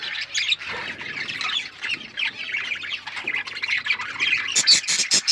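Australian parrots chatter in a dense, overlapping flock, with harsh squawks and bright chirps tumbling over one another, ending in a few sharp, rasping screeches.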